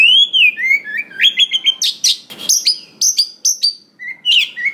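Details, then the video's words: Oriental magpie-robin, wild-caught, in varied song played to prompt other magpie-robins to sing; a downslurred whistle, stepped chirps, loud sharp notes and a rustling noise midway, closing with short whistles. "SUARA BURUNG KACER ISIAN BANYAK !! PANCINGAN UNTUK BURUNG KACER BAHAN HUTAN || VOICE OF KACER"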